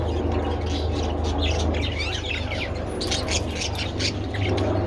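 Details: Budgerigars taking treats in the sun, 27 February: bursts of quick twittering chirps, busiest after the midpoint, with a constant low hum in the background.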